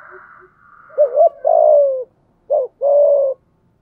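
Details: A decoy spotted dove in the rainy, windy season cooing in thổ sấm style to excite wild doves: faint notes, then a wavering double note, a long coo, a short note and another long coo.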